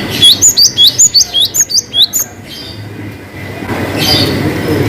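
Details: Cinereous tit in a long-whistle song variation: a brisk series of about ten piercing rising whistles in quick succession. The whistles fade out into quiet background hiss and a rising rushing noise.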